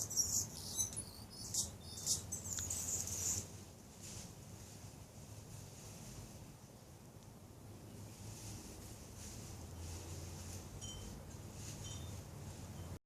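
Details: Male hummingbird singing on guard near feeders in a small garden: a burst of sharp, very high, squeaky chips and buzzes in the first three seconds, then faint high notes later over a low steady hum.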